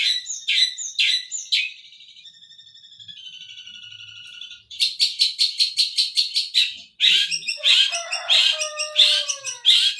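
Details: Long-tailed shrike song with Tengkek Buto (collared kingfisher) material: harsh scratchy notes, then a thin sustained whistled passage, then a rapid rattling run of sharp notes and loud chattering bursts.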